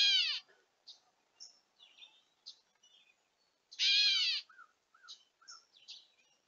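A gray catbird gives harsh, nasal, downslurred calls with soft squeaky and chipping notes in between.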